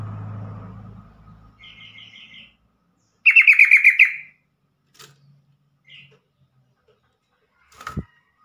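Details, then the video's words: Yellow-vented bulbul call used to stir other bulbuls into song: a softer short trill, then one loud, rapid burst of bubbling notes, followed by a few faint chips and a brief knock. "trucukan call AMPUH atasi burung trucukan bakalan.macet.stress langsung Nyamber bunyi."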